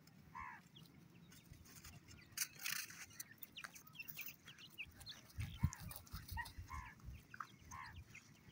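Partridge chicks give short, high, slightly arched peeping calls, repeated irregularly, over a low rumbling background with some scattered noise.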